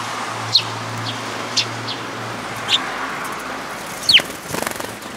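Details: Sparrow chirping at a Tenmangū shrine on 14 May 2022: four brief, bright high notes about a second apart, the last one sliding downward, then a soft fluttering rattle against low background hum.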